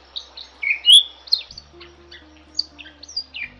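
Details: Quieter Bali myna masteran song: a few whistled notes and one loud sliding whistle early on, then sparse, softer high chirps.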